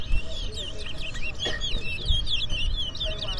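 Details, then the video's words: Towa towa, the chestnut-bellied seed finch, in a 2024 whistling contest at Port Mourant, Guyana: a fast warbling run of high twisting whistled notes and chirps, with low rumbling background noise and brief voices. "TOWA TOWA BIRD WHISTLING COMPETITION"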